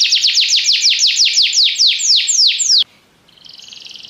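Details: Belgian canary, yellow, delivers rapid descending sweeps in a rhythmic series that ends abruptly, followed by a softer buzzy trill.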